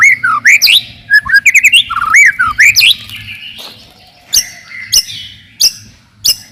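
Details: White-rumped shama song used to provoke rival birds and test young ones: varied looping whistled phrases for three seconds, then a few sharp, separate high notes about every half second.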